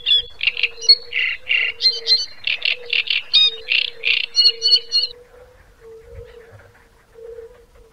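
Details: A great reed warbler (Acrocephalus arundinaceus) sings a loud, harsh run of grating, croaking notes, about three to four per second, for five seconds, then falls quiet over a low steady hum.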